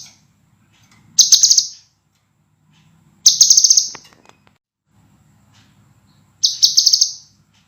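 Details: Scarlet minivet song used as a master recording for training cage birds, described as clear, dense and sharp: three high, bright bursts, each a quick stuttering trill under a second long, spaced about two to three seconds apart over quiet background.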